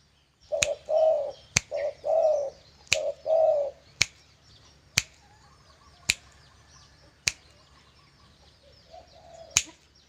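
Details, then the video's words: Pet dove kept and regularly trained for singing contests, sometimes calling or turning aggressive when touched by hand; three mellow cooing phrases in the first four seconds, then one softer coo near the end, with sharp clicks roughly every second. "Burung balam merdu siap kontes"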